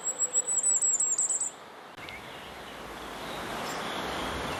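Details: Firecrest song: a rapid run of about a dozen very high, thin, needle-like notes in roughly one and a half seconds, then the song stops and steady broad background hiss fills the rest.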